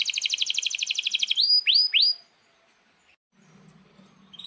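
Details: Canary song for tutoring young birds: a fast steady trill followed by three loud rising whistled sweeps, then near silence with a faint low hum and a few soft chirps.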